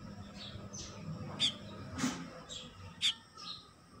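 Baya weaver giving short, high sparrow-like chirps, about seven in four seconds at an uneven pace, over a low steady background hum.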